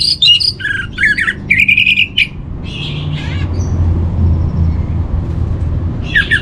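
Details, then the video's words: Master song of an orange-headed thrush for training: jumbled, scratchy and whistled phrases in quick bursts for two seconds, a few harsher notes, then quiet before a final rich burst. "Menstabilkan Burung ANIS MERAH Dirumah Baik EMOSI & Birahi dengan Mendengarkan Kicauan Masteran ini"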